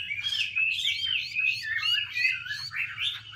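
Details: Chinese hwamei, a female fanning and dancing to excite the male; dense, loud run of rich whistled warbles, each phrase sliding down then up, repeated with little break, over a faint low hum.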